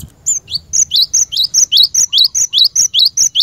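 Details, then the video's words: Cinereous tit singing a fast, regular series of sharp upward-slurred notes, each answered by a high thin whistle, roughly a dozen phrases in three seconds; the recording serves as a lure for training caged glatik batu. "Burung Glatik Batu Pikat Gacor"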